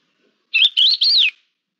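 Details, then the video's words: Thekla's lark phrase of three fluty, whistled segments, slurring up and down, the final one arching and dropping away, loud and clear against silence. "La Diva, cogujada montesina"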